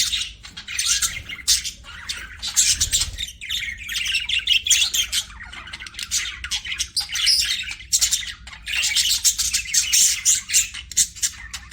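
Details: Several pet budgies chattering nonstop, a busy mix of rapid twittering, harsh squawks and warbles, with a brief low thump near the third second.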